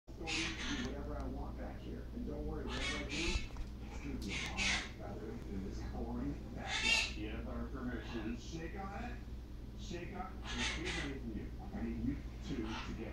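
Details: Pet male Quaker parrot, alone and unaware of being filmed, talks and tries to sing a song made up for him, forgetting the words; scratchy, speech-like bursts of chatter and short harsh notes come in quick irregular phrases over a low indoor hum.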